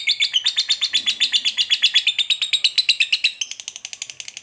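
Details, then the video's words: Lovebird ngekek, a long chattering trill of a fighter bird meant to trigger aggression in another lovebird: quick, ringing pulses repeated steadily, shifting to a thinner, faster rattle near the end. "SUARA BURUNG LOVEBIRD NGETIK NGEKEK PANJANG"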